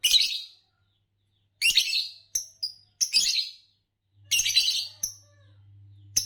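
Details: Green Fischer's lovebird, a kind known for long-duration songs in Indonesian competitions, chattering with rapid harsh chirp bursts and short high sharp notes, roughly one burst a second, with a low hum late on.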